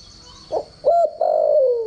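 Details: Standard crowing voice of a decoy spotted dove, used to train doves: a soft short note, a rising hollow coo, then a long gently falling coo, over a faint steady high whine.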